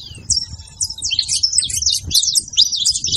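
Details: Saffron finch singing, meant to excite a silent canary: opens with a thin falling whistle, then bright, quick chirps and twisting trills building in loudness, with faint low hum underneath.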